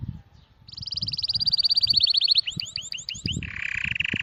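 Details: Bird song: a rising run of clear whistled notes, then quick looping chirps and a steady buzzy trill, over low thumping background noise.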